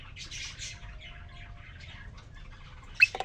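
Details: Male cockatiel (quarrion) in a cage, singing to a newly introduced female after three days alone; soft chattering, warbling phrases at mid-high pitch, ending with a sharp, louder squeak and burst.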